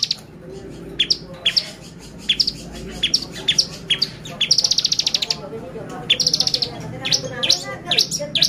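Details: Bar-winged prinia song played as a lure to make other birds excited: sharp, high descending chirps repeated in quick runs, broken by two rapid buzzy trills, over faint low background noise.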